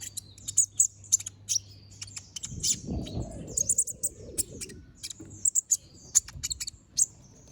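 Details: Brown-throated sunbird singing energetically, a master recording for training other birds: dense high-pitched chips and twitters throughout, with a brief soft rumbling noise in the middle.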